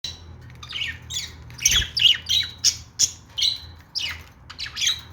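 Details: Pet budgerigars chirping: a steady run of short, scratchy squawks and bright chirps, about three a second, with a faint low hum in the room.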